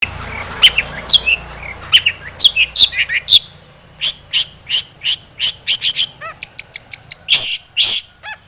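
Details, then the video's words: Long-tailed shrike in energetic full song packed with mimicked phrases, used as a lure to provoke other shrikes to sing: sweeping whistled slurs, then a fast run of sharp clipped chirps and high ringing notes. "SUARA cendet gacor ATATCLETAT pancingan cendet agar bunyi emosi"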